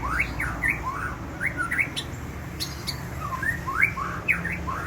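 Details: Energetic outdoor song of an Aceh white-rumped shama: varied whistled phrases with upslurred and downslurred notes, some brief clicking sounds, over a soft low hum.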